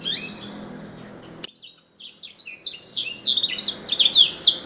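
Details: Caged canary, a former contest winner, singing a black-throat-style song: high, rapid run of whistled, sliding notes that starts thin and sparse, then swells into a loud, dense trill of quick repeated phrases.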